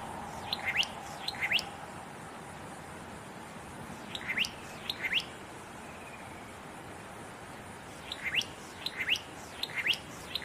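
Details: Satin flycatcher, a summer breeding migrant in southeast Australia, singing among fire-damaged trees in Namadgi National Park near Canberra: bursts of two or three sharp upslurred whistles separated by pauses of a few seconds, with a soft low hum beneath.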